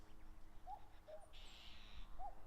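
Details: Wild common cuckoo calling over open grassland at the foot of Mount Fuji, Japan, in late May during territorial disputes: low two-note falling cu-coo, one pair followed by another opening note, with a buzzy trill in the background.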